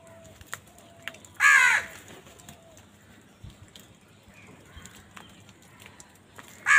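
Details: Village crow giving a single loud, harsh caw of about a third of a second, followed by near silence with faint distant sounds and a further call starting at the very end.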